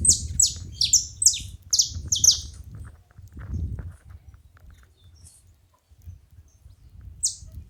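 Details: Saffron finch making noise while feeding, a rapid series of high, sharp, descending chirped notes in the first three seconds, then quieter scattered notes and a final chirp, over low rumbling background noise.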